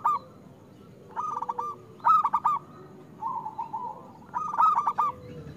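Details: Local zebra dove singing loudly and steadily, used to coax doves reluctant to sing. Stuttering, rolling coo phrases arrive about every second and a half, with a fainter, lower cooing line running underneath.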